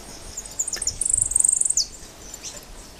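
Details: White European goldfinch singing: scattered high notes, then a fast, even trill of sharp, very high tinkling notes lasting about a second, ending in a slurred descending note, over faint background hiss.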